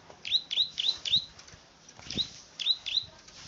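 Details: A plain prinia, the klik-klik field bird, gives a quick run of four sharp, high clicks. After a pause come three more, with light knocks in the background.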